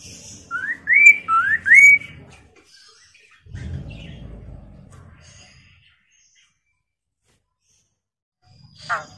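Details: Chinese hwamei giving a rapid run of four rising whistled phrases, meant to make other hwameis reply and sing, followed by a low rumbling noise and a brief harsh sound near the end.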